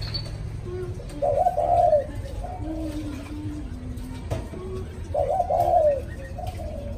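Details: Spotted dove singing in the urgent 'cu thúc' style after a storm: two hoarse, throaty cooing phrases about four seconds apart, each with softer trailing notes, over a low background rumble.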